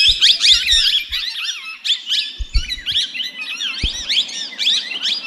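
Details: Tamed plum-headed parakeet talking in a fast, squeaky, chattering stream of high twisting syllables that barely pause, with occasional low thumps and knocks in the background.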